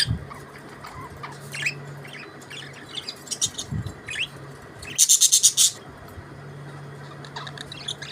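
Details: Budgerigars singing and chirping: scattered short buzzy chirps and warbles at high pitch, with a burst of rapid pulsed notes around the middle, over a steady low hum.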